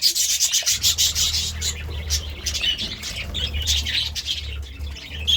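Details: Early-day budgerigar chirping, with busy high squeaks and warbles strongest at the start, then softer scattered twitters over a continuous low hum.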